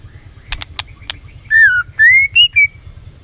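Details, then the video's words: White-rumped shama song used as a lure to rouse a lazy shama into full singing: a few sharp clicks, then four loud clear whistled phrases, the first falling, the next rising, with short gaps between. "PANCINGAN MURAI BATU BONGKAR ISIAN GACOR, MURAI BATU MALAS NAIK EMOSI LANGSUNG BUNYI GACOR."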